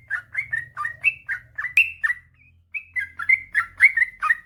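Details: Yellow-vented bulbul in a long rapid song run, used to coax lazy birds into singing: steady chain of fluty, slurred notes about four per second, one short pause, faint low hum underneath.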